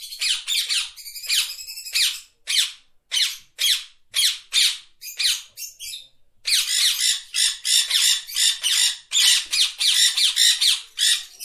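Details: Parrot calling in a rapid string of loud, rough squawks, some buzzy and stuttering, roughly two per second, with a short pause around the middle before the harsh calls resume densely; nothing else audible.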